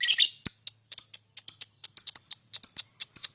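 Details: Lovebird chirping and singing to lure other birds: dense run of high, clipped chirps in uneven clusters, some notes doubled, with a soft low hum underneath.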